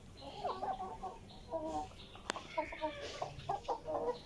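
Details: Chickens clucking while eating vegetables; overlapping short mid-pitched clucks and brief tonal notes from several birds, one sharp click, and constant background hiss.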